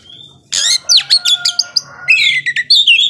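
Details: Oriental magpie-robin in full song, meant to provoke slower-tempered rivals: after a soft high whistle, a loud burst of varied chirps, harsh notes and rapid trills, ending in rising and falling whistled phrases; faint low hum beneath.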